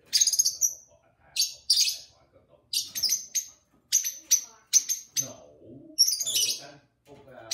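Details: Two pet lovebirds singing with their owner: a lively string of shrill, high chirps about once a second, mixed with human speech.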